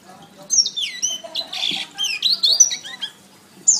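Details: Master song of a canary for training other birds, a busy run of high sweeping whistles, downward slurs and chattering notes packed closely together.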